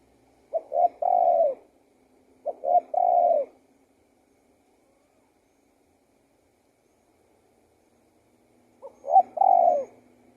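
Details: Singing spotted dove giving low hollow coos: two phrases in quick succession, then a long silence before a third. Each phrase opens with short staccato notes and ends in a longer, falling note.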